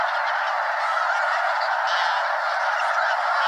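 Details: Mega-flock of more than 200 Snow Geese flying around above Limestone Bay at Wheeler National Wildlife Refuge, Alabama, before landing on the water; a continuous wall of many honking voices with no gaps.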